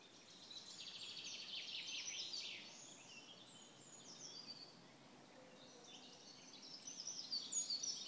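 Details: Eurasian wren song recorded 5 June 2016 at Březinka nature reserve, Náchod-Běloves: a fast, high, tumbling burst of trills and twitters lasting about two seconds, then a fainter, thinner phrase later, over steady background hiss.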